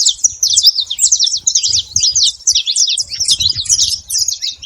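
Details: Many saffron finches at a feeder, a flock making noise together: dense overlapping high chirps and short twittering notes packed continuously without pause, with faint low rumbling underneath.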